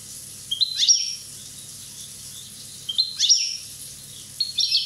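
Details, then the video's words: Young European goldfinch from Corsica, one year old, producing three quick high twittering bursts, each a jumble of rising and falling notes, spaced roughly two seconds apart. "Chardonneret rosse corse 1ans"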